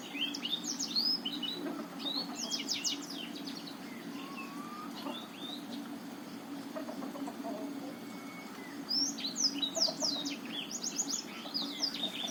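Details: Black-throated canary, Botswana type, singing as a lure to stimulate quiet males: bursts of rapid high chirps, trills and twittering notes, one around the start and another near the end, with a steady low hum throughout.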